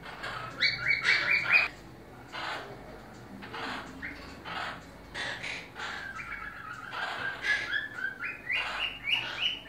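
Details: Monk parakeets, or Quaker parrots, kept in captivity for breeding: quick, scratchy chirps and short squawks in rapid bursts, some notes sliding upward, broken by brief pauses.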